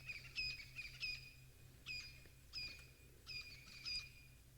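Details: Crested francolins near the Galago pan on an African safari drive give harsh, rattling bursts of grating notes in quick, uneven phrases over a low engine hum.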